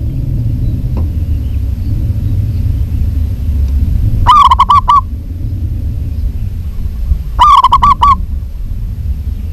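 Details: Female local zebra dove calls a male with two short runs of five or six rapid coos spaced about three seconds apart, steady low hum throughout.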